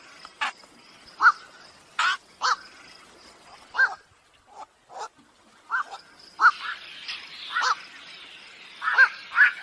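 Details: Lure recording of black-crowned night herons for night trapping in 2023: scattered rough, nasal quok calls, irregular, some doubled, with a short quiet lull midway.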